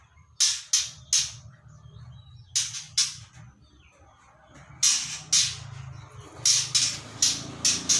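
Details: Three-month-old white-rumped shama in song practice, giving groups of two or three loud, harsh, hissing bursts separated by short pauses, over a steady low background hum.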